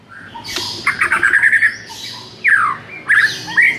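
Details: White-rumped shama song for stirring a shama that rarely sings: a fast rattle of chirps, then a steeply falling whistled slur and a final twisting whistled phrase.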